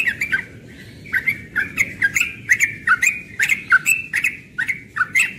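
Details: Rapid 'ropel' song of a young yellow-vented bulbul at morning time, a continuous string of cheerful, bubbling, up-and-down notes tumbling out in quick succession.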